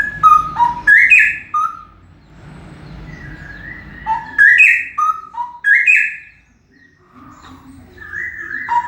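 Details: Male straw-headed bulbul, very loud: rich whistled phrases sliding between low and high notes, loud bursts at the start and middle with quieter gaps between.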